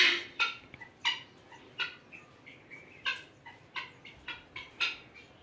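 Guineafowl giving harsh, grating calls repeated in quick, uneven bursts.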